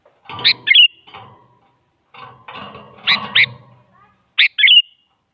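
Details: Sooty-headed bulbul lure, a female calling a male so a silent bulbul answers: loud, bubbly warbled phrases in three bursts, over a broader, rougher background of lower chattering sounds.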